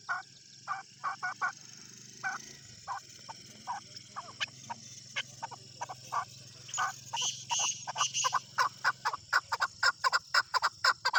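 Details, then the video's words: Tame male desi chukar released to roam freely outdoors, giving a run of short clucking notes that starts spaced and speeds up into a rapid, dense series toward the end. "Keklik Sesi || Chukar Desi Chakor ki Awaz"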